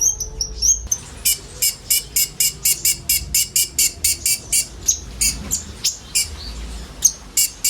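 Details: Several common ioras sing together in a filled-in song used to lure sunbirds. A few high whistles open, then a steady series of sharp, buzzy chirps repeats about three times a second.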